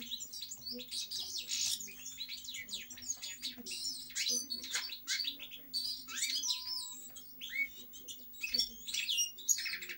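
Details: Continuous European goldfinch song, a jumble of sharp chirps, slurred whistles and buzzy trills in rolling phrases, with a low steady hum in the background.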